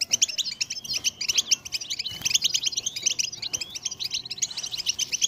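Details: Continuous, fast goldfinch song, a liquid jumble of high twittering notes, buzzy slurs and trills pouring out without a break. The recording is meant to spur goldfinches into uninterrupted song.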